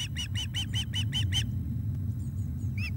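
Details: Osprey calling at the nest during a fish delivery, 17 July 2021 at 19:48. Seven sharp, evenly spaced whistled chirps come in quick succession, then a lull with a faint note and one final chirp, all over a low background hum.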